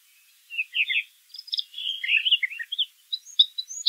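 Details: Brown thrasher singing in nature: a varied run of short warbled and chirping phrases, mid to high pitched, shifting quickly between notes, with brief pauses between phrase groups.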